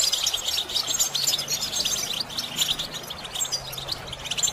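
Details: Goldfinch singing, played to teach other goldfinches their song: a busy stream of bright, high twitters and quick chirps, closely packed and unbroken throughout, over a soft low hum.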